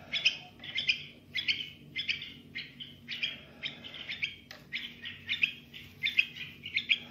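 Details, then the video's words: A young bulbul gives bright, chattering chirps high in pitch, in quick bursts about once or twice a second, over a faint low hum; its song is meant to stimulate other bulbuls. "تغريد بلبل صغير"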